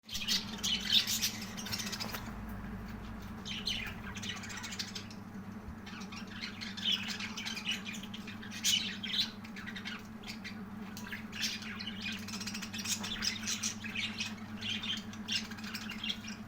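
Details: Budgerigar (Melopsittacus undulatus), chatter calls.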